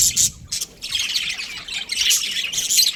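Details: A budgerigar breeding pair chirps in scratchy, high, squawking bursts, one sharp phrase at the start, then a steady run of warbled chatter.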